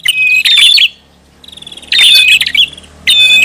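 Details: Prinia lure sound, noisy style. Three bursts of sharp, harsh chirps mixed with thin whistles are separated by short quiet gaps. A faint low hum runs underneath.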